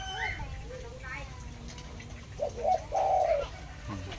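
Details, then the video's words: Spotted dove from Cambodia, newly started calling, delivers a couple of short coos then a longer, louder rough coo near the end, with Khmer speech and soft chirps from other birds before it. "លលកធ្នាក់លលកទើបតែឡើងSpotted Dove"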